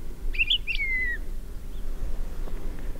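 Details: A Palila, an endangered Hawaiian bird now confined to the Big Island, sings two quick chirpy notes, then a clear, slightly falling whistle, all within a second, over a steady low rumble of wind.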